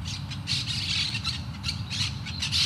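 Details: Great spotted woodpecker (Dendrocopos major) in the Huerto de El Retiro, Madrid, giving harsh, high, squawky call notes in irregular bursts about every half second, over a steady low rumble of background noise.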